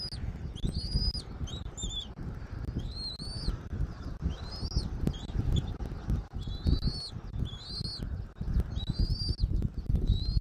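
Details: Southwest Florida nest camera, 13 January 2024 at 14:17: a bald eagle gives a busy sequence of high, chattering whistled notes, some rising and others falling, in quick clusters, over a background of low wind rumble.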